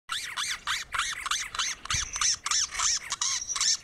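Great Antshrike giving a steady run of about a dozen harsh, arched, ringing notes, roughly three per second, with a thin high whine behind.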